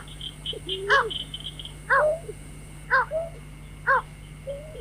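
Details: Lure recording of a White-breasted waterhen for trapping at night, with strong harsh notes roughly every second, each followed by a lower drawn-out wavering note. High quick chirps open the recording, over a steady hum.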